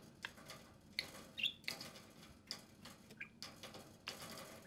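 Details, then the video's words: Two social pet parakeets (budgerigars) out of their cage, playing and talking. Brief high chirps and twittery notes pop up between scratchy clicks and light tapping. "Two social parakeets (budgerigars) play and speak"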